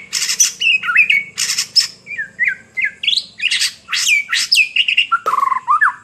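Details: White-rumped shama in full song, a rich run of varied phrases: loud buzzy bursts, rising and falling whistles, harsh squawk-like notes and a low whistled ending, delivered almost continuously with a faint low hum underneath.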